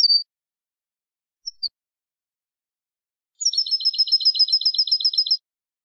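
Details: European goldfinch of the wild 'campero' type, sung for training captive birds: two short high chirps, then a fast, even trill of about twelve buzzy twittering notes lasting two seconds, in silence.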